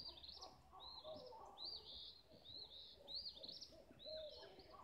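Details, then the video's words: At sunrise in Olivehill, Tennessee, several birds sing together. Quick high warbled phrases repeat about every half second, and fainter mid-pitched chirps sound beneath. "Sunrise melody of birds"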